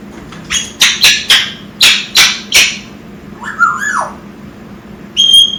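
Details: Six-month-old captive African grey parrot producing a run of six loud harsh clicking squawks in quick succession, then a wavering mid-pitched warble and a final high piercing whistle.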